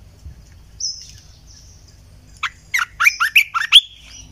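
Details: {'caption': 'After a brief high thin whistle, a red-eyed bulbul decoy sound plays as a quick cascade of six or seven gurgling, up-and-down notes ending in a rising sweep.'}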